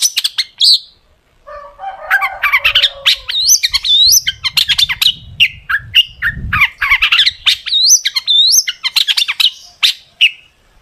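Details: Long-tailed shrike in full 'gacor' song with sharp 'tembakan' fills, meant to coax shrikes into singing; long run of fast, varied chatter, rasping notes and rising whistles with hardly a break, faint low rumble midway.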